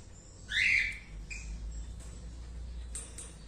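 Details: Indian ringneck parakeet, part of a new pair of a turquoise-blue male and an albino female, giving a single short rising screech and then faint chirps.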